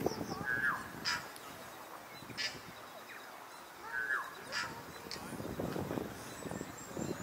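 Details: A tui in New Zealand (filmed in Wellington and Rotorua) sings a halting phrase: brief bell-like notes mixed with harsh, wheezy bursts and clicks, spaced a second or two apart over a low rumble.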